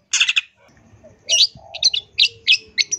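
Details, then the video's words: Long-tailed shrike song in gacor full isian form: a loud harsh rasping burst, a short quiet pause with a soft low whistle, then several squeaky, piercing high notes at even spacing. "CENDET GACOR FULL ISIAN"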